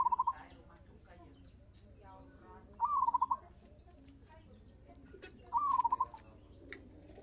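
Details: Fast-tempo zebra dove song from a gacor bird: three short cooing phrases, each a quick upward note then a burst of rapid pulses, about every three seconds, with human voices and clatter underneath.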